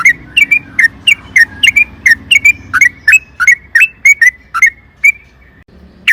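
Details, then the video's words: Yellow-vented bulbul (trucukan) lure recording: loud whistled, bouncing chirps, often doubled, repeated steadily for six seconds over faint low background noise. "trucukan gacor ROPEL PANJANG AMPUH pancingan TRUCUKAN AGAR BUNYI"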